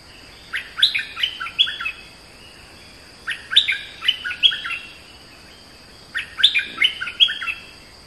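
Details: Oriental magpie-robin singing three similar phrases about every three seconds. Each is a rapid sequence of bright whistles that step up and down in pitch, with a continuous high thin buzz in the background.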